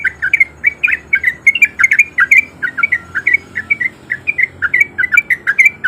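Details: Lure song of a male sooty-headed bulbul, meant to get lazy bulbuls singing along: six seconds of unbroken rapid bubbling chatter of short, rolling notes in an even rhythm.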